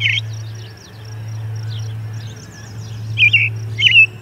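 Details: An American robin sings a few short, clear caroling phrases a few seconds apart over a steady low hum with faint high twitters, at an osprey nest, Charlo, 10 June 2020, 11:57am MDT.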